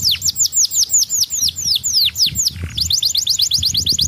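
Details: Young canary, kept as a cage bird, singing a fast run of high downward-sweeping whistled notes, about four per second, then a brief pause and a quicker series of short rising chirps.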